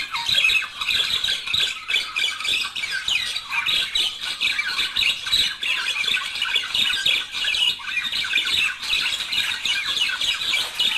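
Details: A budgerigar couple warbling to encourage breeding. Continuous, lively chatter of high squeaky chirps and grating trills runs unbroken for the whole stretch, with a faint background hiss.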